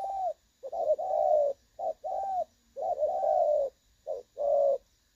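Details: Spotted dove calling in the clear 'đồng son' style, a recording for trapping decoys, 16/8/2024: loud, drawn-out low coos with short lead-in notes, in irregular groups.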